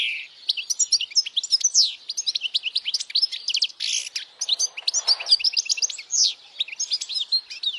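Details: Loud European goldfinch song aimed at young goldfinches learning to sing and at females; an unbroken stream of high, sharp twitters, tinkling trills and short downward slurs, lively and rapid throughout.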